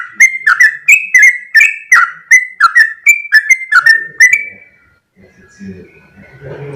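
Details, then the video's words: Sooty-headed bulbul in a fast, drawn-out song: quick bubbly whistled notes with crisp clicks, rising and falling between two pitches for about four seconds, then fading into quiet low background murmur. "full suara Trucuk gacor ropel panjang"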